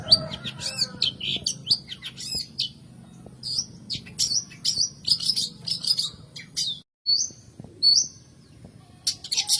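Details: Long-tailed shrike, known locally in Java as cendet or pentet, its song played as a lure to prompt reluctant birds to sing. Busy, scratchy, high chattering notes and short harsh bursts, broken by brief pauses, over a faint low hum.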